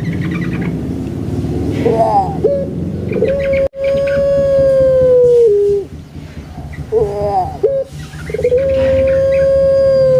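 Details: Captive puter pelung Barbary dove kept in Java, Indonesia, giving two long coo phrases: a wavering, gurgling start, then a drawn-out steady level tone held about two seconds, with a low steady hum behind.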